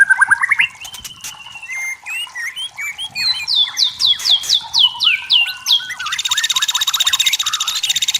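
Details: Forest white-rumped shama song, clear and natural: varied chirps and slurred notes building into a series of loud descending whistled sweeps, then a fast buzzy high rattle to the end.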